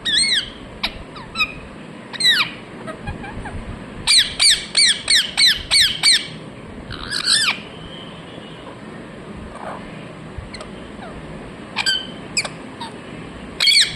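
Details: Talking parrot, said to be saying 'mithu mithu'. Irregular bright squawks and clipped speech-like syllables come in dense runs, the busiest near the middle, separated by quieter pauses with faint background noise.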